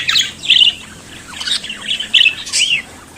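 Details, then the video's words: Australian budgerigar chattering and singing: a few harsh, buzzy squawks and sliding chirps, loud bursts separated by short quieter stretches. "Periquito Cantando e Conversando Sonidos de Periquito Australiano"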